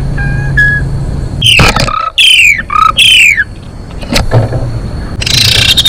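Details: Female Asian pied starling song used to bring males into breeding condition: faint whistled notes, then loud harsh squawks that sweep downward, paired with lower hoarse notes, against a low background hum.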